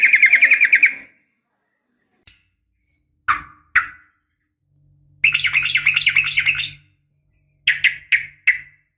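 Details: Sooty-headed bulbul female calling a male, a recording meant for training caged birds in morning and evening: short harsh buzzy trills and clipped chattering bursts broken by pauses, with a faint low hum.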